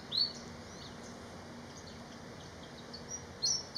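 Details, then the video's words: Malaysian pied fantail giving a few high, thin whistled notes, one at the start and a quick pair near the end, over a steady background hiss. "BEAUTIFUL BIRD SONG ❤️- Malaysian Pied Fantail"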